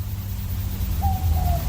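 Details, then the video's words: Southern Boobook heard half an hour after sunset in the Dandenong Ranges, Australia; after a quiet start, a single two-part 'mopoke' hoot, level then gently falling, with low background rumble throughout. "It's also known as a mopoke because it sort of says mopoke, mopoke,"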